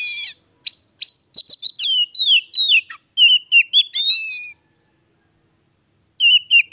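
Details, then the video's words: Oriental magpie-robin in full song, played to stimulate a bird that no longer sings: a dense run of quick upswept chirps and warbled whistles, a pause, then a short final phrase. "TERAPI HARIAN BURUNG KACER MACET"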